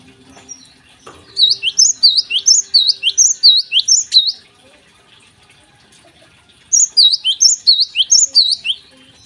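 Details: Java sparrow singing in the morning, kept as a lure bird: two bursts of rapid high chirping notes, each a sharp downward-hooked chip in quick repeated pairs, about eighty-six per minute, with a quiet pause between bursts and faint background noise.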